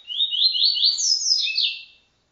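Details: TuiTui-style song of a double-collared seedeater recorded for song tutoring: a quick run of rising buzzy notes climbing to a high sweeping whistle, then a lower descending trill. No other sounds.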